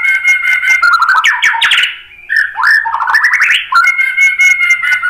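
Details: Continuous white-rumped shama singing meant to stir fighter males: dense flowing warbles with sliding whistles rising and falling, broken by one short quiet gap.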